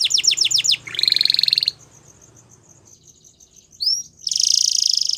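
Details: Male Belgian canary: brief bursts of rapid swept notes and a buzzy trill separated by a quiet gap with faint soft piping, then another loud rolling trill.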